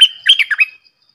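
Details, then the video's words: Red-whiskered bulbul singing one brisk phrase of about five liquid, whistled notes that bounce up and down, then fall silent with a faint ticking behind. "เสียงนกดอกแตงEp.105 Birds sounds"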